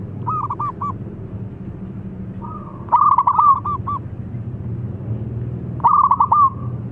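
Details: Local Zebra dove calling out loudly to get an answer: a soft stuttered coo, then two loud phrases about three seconds apart, each rapid clipped notes followed by an even, mid-pitched purring coo, with a low hum behind.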